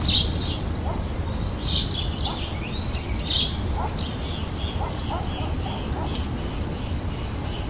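High, bright chirps and short twittering phrases from birds, with a run of quick repeated notes near the end, over steady low rumbling background noise.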